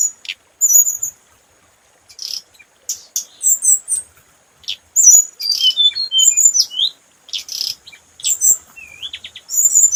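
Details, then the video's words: Scarlet minivet in full lure song: dense clusters of high whistles, buzzy chirps and quick descending notes, growing busier after a quiet opening, with one gently rising slur. "Hồng hạnh mồi | Tiếng chim hồng hạnh mồi chuẩn | hồng hạnh hót"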